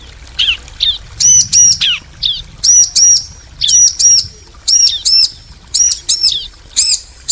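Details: Female and male bar-winged prinias calling back and forth; doubled high ringing whistles, each pair answered by short falling chirps, the exchange repeating roughly every second with brief gaps.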